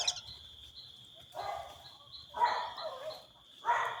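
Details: Brazilian teal, named locally marreca marajoara, in Brazil, giving harsh, nasal, buzzy calls in three bursts roughly a second apart, over a steady high insect-like whine.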